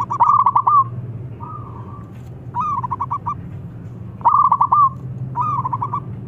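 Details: A local zebra dove, noted as a keen caller that draws rivals to sing, gives repeated cooing phrases: a rising note followed by rapid even pulses, with a softer drawn-out coo between, steady low hum behind.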